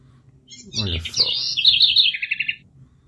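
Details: Bird singing: a bright high chirping phrase, then a fast, buzzy, trilled series of repeated notes lasting about a second, with a brief burst of human voice at the start.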